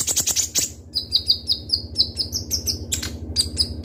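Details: Kolibri ninja (ruby-cheeked sunbird) with sharp shot-like song: fast high chittering, then a long run of evenly spaced falling whistled notes, rising in pitch toward the end, steady low hum below.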